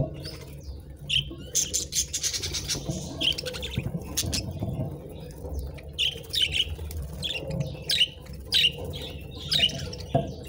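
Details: Budgerigars kept as pets eat treats while uttering bright, short chirps repeated about every half second to a second, with dry crackling clicks between and a low hum beneath.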